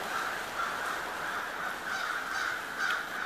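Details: Crows massing by the hundreds in Pittsburgh's Schenley Farms neighbourhood in late October 2013: thick, unbroken cawing from a big flock, rough and nasal, slightly swelling and fading.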